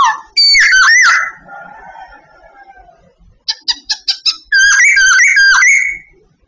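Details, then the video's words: Bird-training recording of a babbler singing. It opens with a loud whistled phrase, then a softer trailing note, a quick series of short sharp notes, and finally a warbled whistle run. "Bird training Babbler singing everyday"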